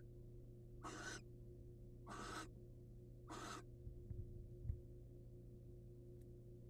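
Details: Male barn owl in the wild delivering his catch to a waiting female: three evenly spaced harsh hissing screeches about a second apart, followed by soft scraping and a knock, over steady hum.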